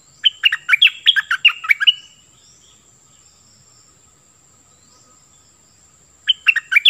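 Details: Cream-vented bulbul decoy bird singing: a lively run of about ten quick warbled notes, then four seconds of quiet before the phrase starts again, with a faint steady high whine throughout.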